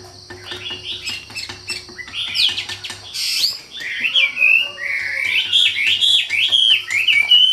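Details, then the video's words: Wambi bird pouring out song: soft ticking and clicks give way to a loud burst, then a twisting chain of whistled, warbling notes, over a low hum and a steady high hiss. "SUARA KICAU WAMBI GACOR"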